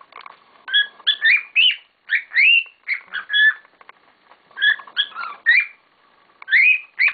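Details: Several pet cockatiels kicking up a storm: bursts of whistled, harmonic chirps, some rising and some falling, in quick groups of three to five with short pauses between.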